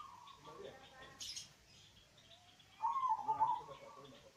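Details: Local zebra dove singing deeply to prompt idle doves to call: scattered chirps and a brief burst of rustling, then one quavering, pulsed coo phrase near the end.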